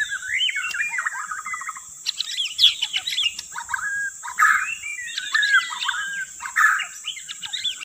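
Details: White-rumped shama singing as a lure: long varied medley of whistles, chattering runs and short harsh buzzes repeated every second or two, with a steady high hiss.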